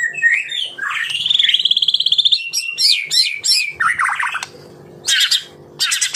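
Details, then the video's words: White-rumped shama singing 'tembakan rapat': a rising whistle into a long fast rattle, followed by loud harsh bursts and short pauses with faint background hum. "Tembakan Rapat Burung Murai Batu"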